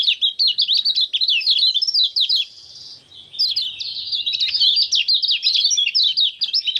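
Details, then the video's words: Kecial kuning (common iora) in vigorous ngejos song dated 6 December 2024; quick, repeated high chips and twisting notes in a steady stream, a brief softer stretch midway, then more rapid chattering. "Kecial Kuning Bikin Rajin Bunyi Ngejos Gacor"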